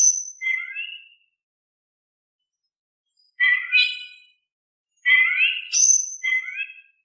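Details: Oriental magpie-robin in steady, calm song meant to make lazy magpie-robins respond: a high sharp note, then harsh, nasal, harmonic phrases in well-separated bursts with quiet between.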